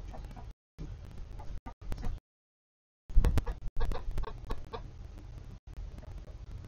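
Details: Coop with a mixed flock of Polish, Golden Comet and Easter Egger chickens: after a quiet gap, a burst of quick, throaty clucks and a loud knock, then softer scattered clucking over steady low rumble.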